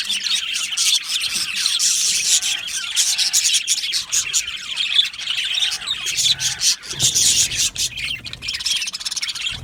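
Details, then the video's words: Happy budgerigars in an aviary colony, a dense, continuous flock chatter of high chirps, squeaks and warbles with brief soft low thumps and faint rustling beneath. "Happy Budgies Sounds | Budgies Chirping Sounds | happy Budgie sounds for lonely Budgie birds"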